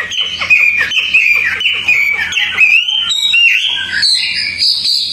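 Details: {'caption': 'Tame Hwamei singing outdoors, recorded to train other songbirds: a rich run of varied whistled phrases, some slurred downward, some jumping higher toward the end, delivered at a rapid, uneven pace.'}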